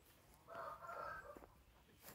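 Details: A gold-coloured Índio Gigante breeding rooster gives one short, hoarse crow lasting about a second, a steady mid-pitched note that drops at the end, with quiet background hiss.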